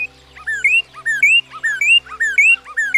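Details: Northern Cardinal song in a backyard: clear slurred whistles, each sweeping down then rising, repeated about every half second in a steady series, over a faint steady low hum.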